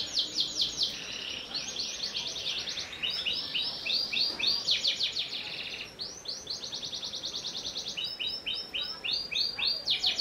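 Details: Panda canary in varied song: dense rapid trills, rolling buzzy passages and bursts of swooping chirps, alternating in tempo over about ten seconds.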